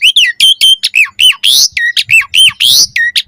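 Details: Asian pied starling training song for caged birds: a steady run of harsh, squawky notes mixed with bright whistled phrases, delivered almost without pause.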